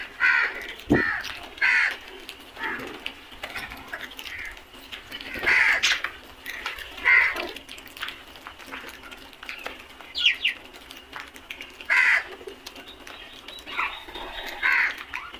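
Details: Caws from a flock of crows come in short, rasping bursts every second or two through the whole stretch, some overlapping, with light background noise.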